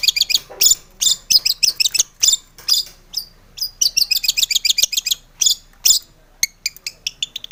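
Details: Chattering long-tailed shrike song used as a lure to make other shrikes sing: dense, scratchy bursts of high notes in rapid clusters, broken by short pauses.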